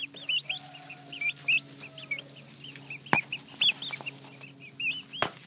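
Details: Young turkey poults give a steady stream of short, high, looping peeps from several birds at once, repeated rapidly, over a faint low hum with a few loud clicks.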